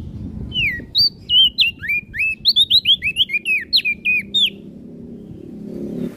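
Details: Olive-backed tailorbird in full song, delivering a fast series of sharp, sweeping whistles, some rising and some falling, packed into about four seconds before stopping.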